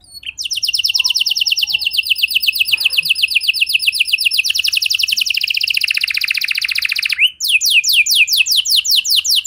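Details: Canary singing as a lure so other canaries sing along: a long rapid high trill of repeated notes lasting about seven seconds, followed by a brief break and a faster run of downward-sweeping notes.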